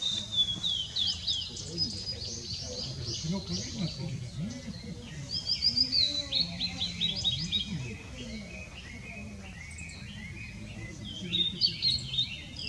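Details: Blue-and-white flycatcher singing, recorded 6 May 2016: clear whistled high phrases with quick slurred notes and buzzy trills, delivered in bursts across the clip, over a low steady background rumble.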